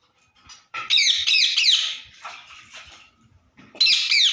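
A rose-ringed parakeet gives three harsh, shrill squawks in quick succession, a pause with softer chatter, then one more loud screech.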